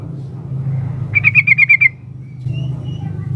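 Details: Sooty-headed bulbul female calling the male: a brief burst of about six quick, bubbly notes near the same pitch lasting under a second, with low background hum before and after and faint soft notes later.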